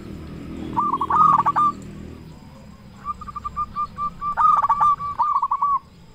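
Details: Local zebra dove with a loud voice, used to stimulate other doves to sing; a rapid rolling burst of coos, then a long chain of quick, evenly repeated cooing notes that swell and fade.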